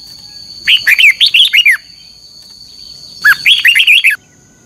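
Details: Morning competition song of a red-whiskered bulbul, long double-note style for training birds: two rapid phrases of about a second each, bubbly rising-and-falling whistles, separated by a short silence, with a faint steady high tone behind.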